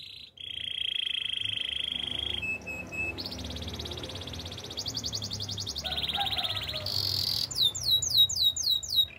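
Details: Canary singing a varied song: sustained buzzy trills around mid-high pitch, rapid pulsed rolls, then sharp repeated upward-sweeping whistled notes near the end.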